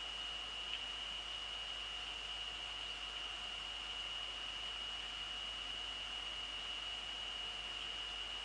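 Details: Only a steady high electronic whine over constant hiss is heard during an evening recording in the Netherlands.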